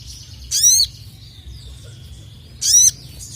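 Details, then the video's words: Crested jay kept as a songbird, calling emotionally at rivals: two separated bursts of high, grating, descending harmonic notes about two seconds apart, with a thin drawn-out tone in between. "KICAU SOGON GACOR EMOSI MEMANGGIL LAWAN"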